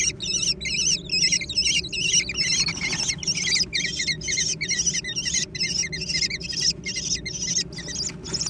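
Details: Young American kestrels squabbling over food, a busy scramble of shrill, quavering high-pitched squeals in rapid overlapping bursts, roughly two per second, with a steady low background hum.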